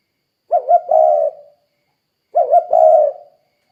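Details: Energetic spotted dove coo meant to lure other doves to call: two clear phrases, each a quick double rolling note and a sustained low purr, nearly two seconds apart, no other sounds.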